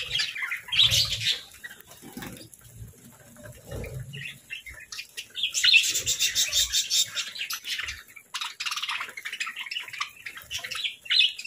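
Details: Parakeets eating a morning meal of fruit and grains: separate bursts of quick high chirps and twitters, a long rapid run near the middle, with low knocks and scuffling early on.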